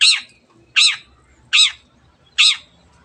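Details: Cendet, a long-tailed shrike, calling vigorously, used to make other birds sing: four loud, nasal, scratchy squawks with a bent, arching tone, evenly spaced about three quarters of a second apart.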